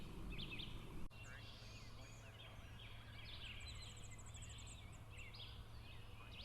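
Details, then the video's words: A wild flock of about 10 smooth-billed anis (Crotophaga ani), foraging for food on an empty lot in Brazil, gives overlapping whiny, rising squeals and chatter, with a thin rapid trill above and a low steady hum behind. "Canto do Anu Preto"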